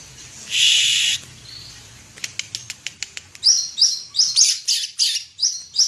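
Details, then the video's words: Greater green leafbird, a national champion cucak ijo, opening with a harsh rasp, then a series of sharp clicks, then high buzzy notes repeated about twice a second. "cucak ijo juara nasional"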